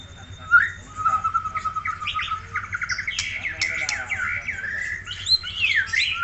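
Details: White-rumped shama from Aceh: a long level whistle, then rapid scratchy ticking notes building into a busy jumble of slurred whistles, with a low hum behind.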